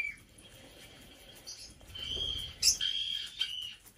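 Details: A five-year-old female black-headed parrot, a household pet in an indoor bird room, gives drawn-out level whistles, broken by a sharp high chirp, against quiet room background.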